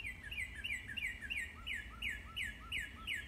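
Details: Cheery morning tune from a Northern cardinal: a steady series of about ten sharp, descending whistled notes repeated roughly three per second, with soft lower slurs between them and low steady background noise.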